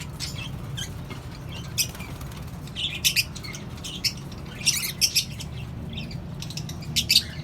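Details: Colony-housed lovebirds, cockatiels and budgerigars calling with short bright chirps in irregular bursts, a few doubled, roughly every second or two, against a low droning hum.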